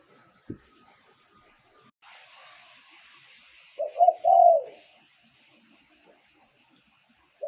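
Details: Spotted dove, Thailand, calling as a decoy to attract wild birds: a quiet hiss of background noise, then one mellow phrase of short coos leading into a longer descending coo, and the start of another.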